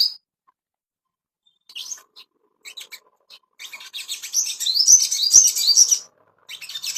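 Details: Ashy tailorbird song for bringing on breeding condition: a short high note, scattered chips and twitters, then a strong rapid run of high whistled warbling, starting again at the end.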